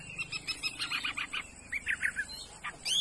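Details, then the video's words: Chinese hwamei singing a fast series of short choppy notes and brief slurred phrases, delivered in quick bursts over a quiet background. "mi đảo giọng hay"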